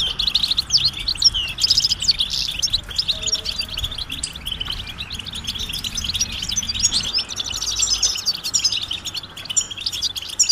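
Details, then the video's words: European goldfinch mating and readiness calls, an unbroken chatter of bright twitters and tinkling notes meant to make a silent male sing, with faint low background noise. "بتبتة الحسون علاج سكوت الحسون نذاءات التزاوج والتجهيز"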